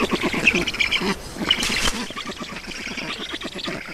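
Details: Estonian black storks at the nest during a feeding, 7 June 2019, 16:18: quick, quacking, nasal pulses repeated about three times a second, with a brief scratchy burst, then fainter chatter continuing.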